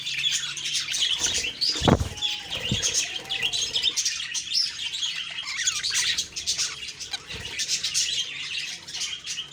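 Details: Budgerigars on a morning, 2 October 2023, keep up a steady, high, scratchy chatter of overlapping chirps and warbles. A few dull knocks or wing flutters sound near the start.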